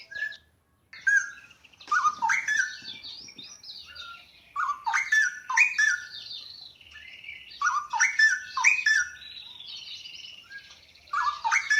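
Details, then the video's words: Straw-headed bulbul singing nonstop, its voice melodious and echoing, fairly monotonous yet rich: after a brief silence, a series of loud, bubbling warbled bursts with slurred whistles every two seconds or so, over softer high-pitched chattering. "Burung Cucak Rowo gacor suaranya mewah"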